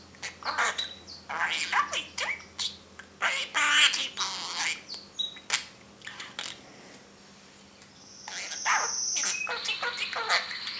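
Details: Parrot talking in its cage: a long series of quick chattered syllables and clicks, then a sustained high whistle held for about two seconds near the end.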